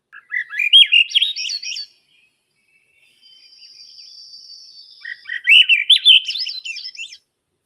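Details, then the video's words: Swainson's Thrush song from a reference recording: two flute-like phrases spiralling upward, each about two seconds long, a thin steady high tone in the pause; heard in timbered woodlands during spring migration. "So I'm going to play the Swainson thrush song and call."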